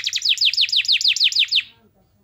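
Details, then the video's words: Canary (kenari) master song for training other canaries to sing: a loud, rapid series of about a dozen downward-slurred chirps, evenly spaced, then quiet. "MASTERAN KENARI GACOR Yang Lain Agar Ikut GACOR"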